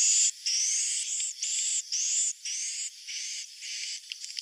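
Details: Swiftlet roosting call of the kind played to attract swiftlets: a rapid series of high, hissing chirps, each about a quarter to half second long, repeated nearly twice a second with short gaps.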